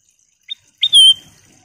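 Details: Sooty-headed bulbul, golden-coloured and singing freely. A soft chip, a pause, then a bright stroked note flowing into a long, pure whistle.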